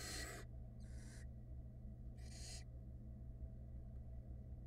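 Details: Young barn owls in a Florida nest box give separate harsh hissing snores, each about half a second long. Three come in quick succession, then the box goes quiet.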